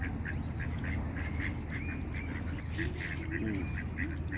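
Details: Pond ducks quacking in a lively, uneven string of short nasal calls, some drawn out slightly, over a steady low background rumble with faint other bird notes.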